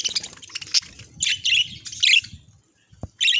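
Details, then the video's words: Pet budgerigar in a happy mood: several loud, squeaky chirp bursts, a brief quiet spell and a click, then another sharp chirp at the end, with a low rumbling background. "Happy Budgie Vibes Chirpy Sounds"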